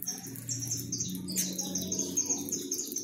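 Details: More than 100 free-living saffron finches being fed in a backyard, a large flock giving overlapping high, sharp chirps and twitters, a steady chorus over a low background hum.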